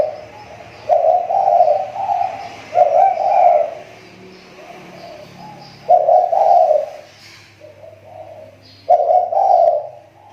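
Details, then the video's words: Captive lure spotted dove with a recovering voice gives mellow, hoarse coo phrases, four separate bursts with pauses of one to two seconds, and a faint hum underneath. "SUARA TEKUKUR PIKAT SI TAKUR,SUDAH MULAI MEMBAIK"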